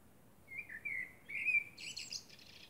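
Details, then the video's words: Common blackbird song at night beneath the moon: a smooth, low whistled line with a small dip, rising to a brighter note, then a dense rush of thin, high twittering. "Blackbird sings under the moon"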